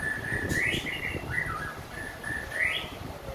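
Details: Post-moult white-rumped shama delivering level whistled notes broken by two upswept phrases, one early and one near the end, against a faint background murmur.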